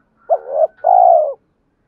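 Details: Decoy spotted dove cooing to provoke rivals into fighting and to call a mate: a two-part phrase, a short rising note swelling into a hollow croon, then a longer, level, smooth coo. A faint, thin, high tone runs above.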